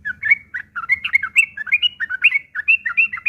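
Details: Harsh, chattering fighting song of a sooty-headed bulbul, used as a lure so other birds reply. Bubbly, squeaky notes rise and fall in quick succession throughout, several per half-second, on a quiet background.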